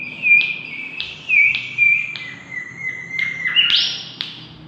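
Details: Lively mangrove whistler song for luring birds: a drawn-out whistled tone with small wavering inflections, interrupted by short sharp notes every half second, ending in a brighter, louder burst of notes.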